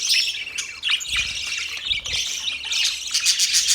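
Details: Happy budgies chattering: busy high warbling with scratchy chirps and short squawks, ending in a run of rapid, evenly spaced clicking pulses over the steady twitter.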